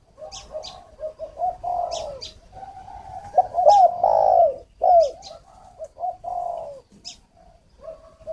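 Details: Captive decoy spotted dove used for luring, at a Vietnamese bird farm near Ba Vì, Hanoi: series of mellow low cooing notes rising and falling, grouped into uneven phrases, with crisp high clicks scattered throughout.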